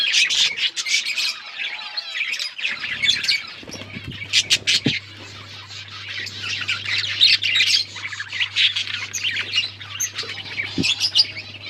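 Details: Budgies on October 31, 2023, their chirping called talking: rolling waves of shrill chatter and squawks from a group, with dense bursts, quieter stretches of soft warbling in the middle, and a low steady hum.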